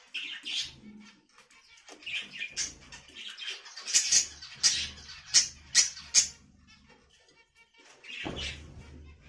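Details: A budgerigar calls in rapid high chirps and scratchy notes, then a loud series of sharp clicks in the middle, and a final rasp.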